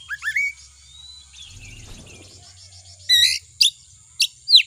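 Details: Kacer (Oriental magpie-robin) lure song to trigger singing; soft rising whistles and quiet twittering, then a few loud harsh chirps and whistled slurs over a low hum.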